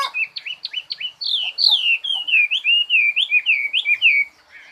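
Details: Quick bird song of sharp chirps followed by a run of bright, sweeping whistled notes in rapid succession, fading into soft twitters at the end.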